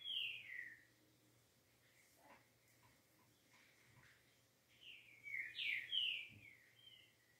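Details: A green-winged saltator (Saltator similis) gives its clean song: loud, clear whistled phrases that slur downward. One phrase opens the clip and a richer burst follows after a quiet pause, over a faint steady hum.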